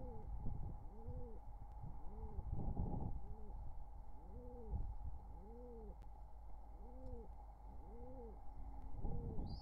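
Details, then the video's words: Courtship cooing from a wild pigeon pair beside their nestlings, summer 2023: about seven low, rounded, arching coos roll out one after another roughly every second over a constant electrical hum. "Pigeon Pair's Courtship Drama: Nestlings Witness the Love!"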